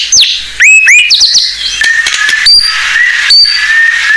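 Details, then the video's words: Singing blorok-type white-rumped shama whose varied song is used to lure and train young birds. Quick downslurred and upslurred whistles give way to a rich, buzzy warbling passage with two short high accents. "Murai Blorok Gacor Bongkar isian Pancingan Burung Murai Batu Bahan"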